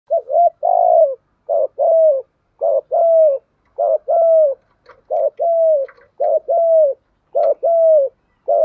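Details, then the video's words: Spotted dove giving a formal urging coo and calling song, played to train decoy doves to start calling; low hollow two-part coos, a short clipped note then a longer falling croo, repeated steadily about once a second. "chim cu gáy thúc gù + gáy gọi bài bản. chim cu gáy tập bổi rất nhanh nổi"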